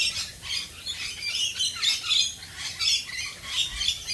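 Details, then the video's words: Australian rainbow lorikeets in the rain giving continuous shrill, grating squawks and chatter, several birds overlapping throughout. "Australian Rainbow Lorikeets Singing in the rain."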